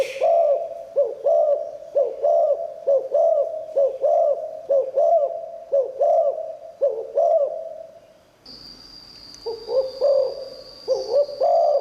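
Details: Spotted dove singing 'Liu Tan' style, a voice meant to attract wild doves. Low bubbling coos repeat about once a second, over a dozen in a row. Later a steady high whine runs under a few more coos.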